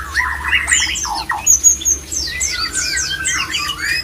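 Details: Male white-rumped shama giving its mating call to arouse other shamas: opens with rough, grating chatter, then a thin high whistle and a series of quick descending and rising sweeps, irregularly spaced.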